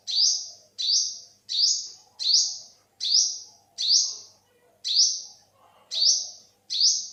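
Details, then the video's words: Ten thin, high upswept calls from an olive-backed sunbird, recorded in 2021, repeated steadily about every 0.7 seconds, with a slightly longer gap midway and faint low background noise. "เสียงนกกินปลีอกเหลือง Olive-backed sunbird, Yellow-bellied sunbird"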